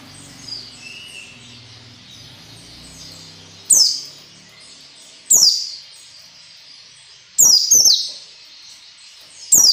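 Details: Ngalas nembak white-eye song meant to train captive birds: soft high continuous chatter broken by four loud, piercing, downslurred shot notes spaced about two seconds apart, faint low background hum.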